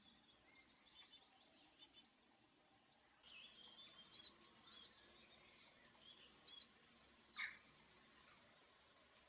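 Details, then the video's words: Eurasian blue tit: bright high trills of rapid repeated notes near the start, then a lower buzzy phrase, clustered high chips and a short descending call, with pauses between bursts over quiet background hiss. "blue tit / pimpelmees sound"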